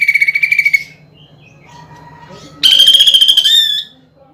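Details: Song of a greater green leafbird with woodpecker-imitation filling, prepared for singing contests: a short pulsed trill, a pause with soft thin whistles, then a louder rattling trill that rises slightly.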